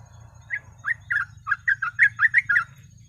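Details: Sooty-headed bulbul singing in the fast, lively ropel style, used as a training and lure recording for other birds: about ten bubbly, slurred whistled notes in a quick, uneven run over a low hum.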